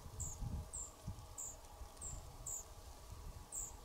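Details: European pied flycatcher fledglings leaving a nest box: thin, very high, short call notes repeated about every half second over low rumbling background noise.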